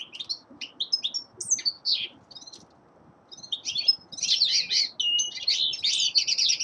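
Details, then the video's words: Young male linnet singing in winter; scattered sharp chirps open the phrase, a brief gap follows, then a dense, rapid twitter of buzzy notes builds to the end. "Песенка Реполова Коноплянки song of Carduelis cannabina"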